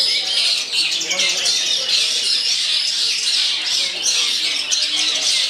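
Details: A trained male Long-tailed Shrike (Lanius schach), a contest bird, gives a loud, long unbroken stream of scratchy, high chattering notes with quick squeaks and trills, faint voices in the background.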